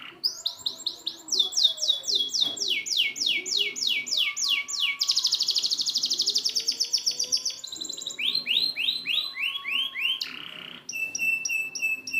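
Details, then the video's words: Canary song used as a training recording for canaries that have stopped singing: rapid varied phrases of high repeated notes, long fast trills and buzzy rolls, each section changing every second or two, with a faint low hum beneath. "Masteran burung kenari macet"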